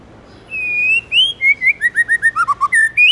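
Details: Domesticated white-rumped shama giving forest-voice song: one long steady whistle, then a quick chain of short clear notes falling in pitch, closing with a rising whistled flourish; no other sounds.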